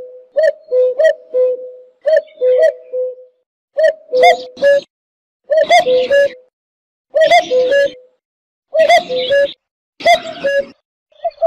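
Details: Cuckoo, known as jleemah, repeating its descending two-note call in clusters over eleven seconds, the hoots growing slightly harsher with faint clicking noises between phrases.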